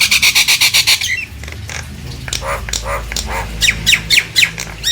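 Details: Nias hill myna, used to provoke silent mynas into singing: an even, rapid rattle of loud high notes, then softer wavering calls and a run of upswept whistles.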